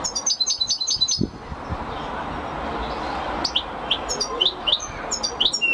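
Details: European goldfinch opening with a fast, tinkling twitter, then, after a noisy lull, a series of separate high chirps that build into quick, scattered song notes.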